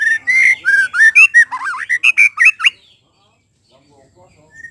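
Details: White-rumped shama singing, a sound meant to draw other shamas into song: a loud burst of rich whistles and quick twisting, rising and falling notes in close succession, ending abruptly before a brief quiet spell and one faint whistle.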